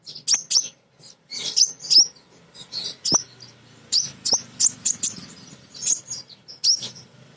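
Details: Female sunbird (kolibri ninja) singing as a lure to provoke other sunbirds; a string of piercing high chips, often in pairs, repeated through the passage with soft twittering between.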